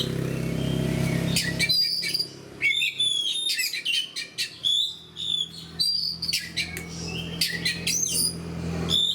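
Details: Oriental magpie-robin in caged fighting song, starting after a low hum, then bursts of sharp whistles, chips and rapidly varied slurred phrases that follow one another closely.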